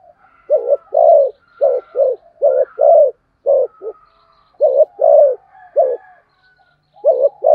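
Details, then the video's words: Spotted dove performing rapid thúc gù tốc độ cooing, a dense run of soft, deep coos in quick pairs and triplets with barely any gap, while thin high whistles from other birds drift in behind. "cu gáy thúc gù tốc độ"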